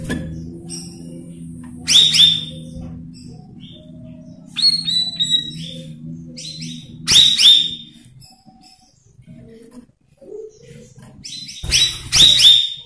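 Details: Blue-winged leafbird song used as a lure recording to train young, untrained birds: loud bursts of bright, rapid whistled trills and chattering notes at about 2, 4.7, 7.2 and 12 seconds, with quieter pauses between.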